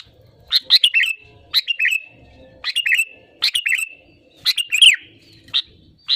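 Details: Sooty-headed bulbul in active song, used to trigger other birds to sing: repeated chirpy phrases about once a second, each trailing into a level whistled note, one ending in a falling slurred whistle.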